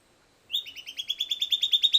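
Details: Song of a silvered antbird (Sclateria naevia): after a brief opening note, a fast run of clipped, evenly spaced high notes, gradually climbing slightly in pitch and strengthening, with little else audible.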